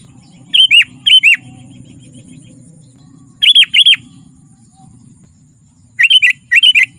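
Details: Sooty-headed bulbul in lively, persistent song, used to lure wild bulbuls and to tutor caged birds: three bursts of bright, quick paired notes with sharp downward inflections, spaced a few seconds apart over a low continuous rumble.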